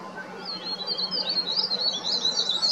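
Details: Verditer flycatcher in the Himalaya in spring, perched atop an oak tree and calling loudly to mark territory before breeding: a high, continuous trilling warble of quick twisting notes that grows stronger after the first half-second, over faint background hiss.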